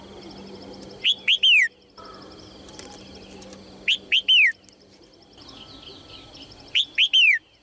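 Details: Female Red-whiskered bulbul calling to encourage males to sing. Three bright whistled phrases about three seconds apart, each with two short upslurred notes and a longer descending slur. A faint rapid ticking chirp runs in the background.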